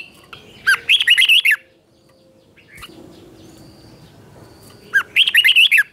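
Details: Red-whiskered bulbul morning song during training: two rich phrases of five or six rapid rolling whistled notes, about four seconds apart, with a quiet gap between.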